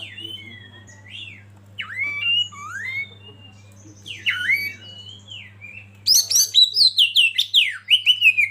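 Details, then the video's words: Oriental magpie-robin training song starting with scattered, softer slurred whistles, then a loud rapid burst of high sweeping notes and chirps in the last seconds, over a low background hum. "Masteran Kacer Eksklusif"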